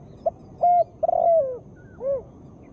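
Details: Female spotted dove call, used to trigger a quick response from lazy birds: soft opening note, level coo, trilled coo sliding downward, then a domed final coo, over faint background hiss.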